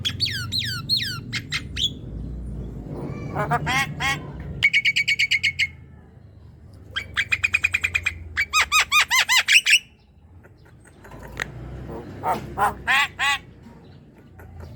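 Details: Javan myna singing, meant to prompt a quiet young myna to sing: downslurred whistles, buzzy trills, bursts of rapid clicking notes and a long run of evenly spaced harsh notes, with a low hum in the background.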